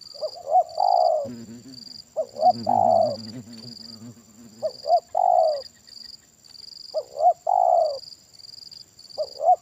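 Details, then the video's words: Spotted dove in a decoy trapping session, 'kuk satu' big-voice style: repeated double hoots and long descending coos, with a lower, wavering rough purring sound underneath for a few seconds. "Permainan Tekukur Suara Besar Kuk Satu Ini Luar Biasa Joki Sampai Batuk Batuk"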